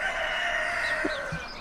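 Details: A rooster crows one drawn-out, steady harmonic call on a winter morning beside a church in the Dolomites, northern Italy, with a person's voice faintly heard around it.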